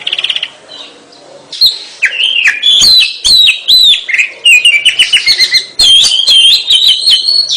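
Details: Oriental magpie-robin, locally kacer, singing lively gacor song: a few soft opening notes, then dense repeated whistled phrases and quick chattering trills that grow faster and more continuous toward the end.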